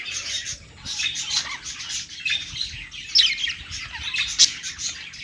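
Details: Singing budgies on a perch: soft chattering warble that builds to sharper, louder squeaks in the second half.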